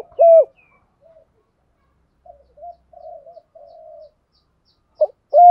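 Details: Spotted dove, male and female birds, cooing to lure wild rival doves in to fight; a loud low coo opens and closes the stretch, with soft, broken murmuring coos between and long quiet gaps.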